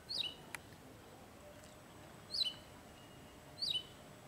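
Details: Wagtail adult collecting food for its chicks, part of male and female communication: three sharp high chirps, each dropping steeply in pitch, spaced about one and a half seconds apart, with a faint click between.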